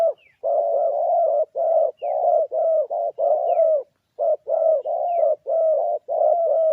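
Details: Spotted dove used as a lure, cooing in a steady stream of mellow notes, short coos alternating with longer slightly falling ones, repeated rhythmically with brief gaps in a quiet setting.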